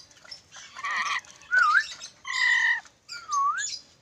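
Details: Sulawesi ornate lorikeet giving four loud, harsh calls about once a second, some grating and broad, others with a smooth up-and-down whistled sweep through them.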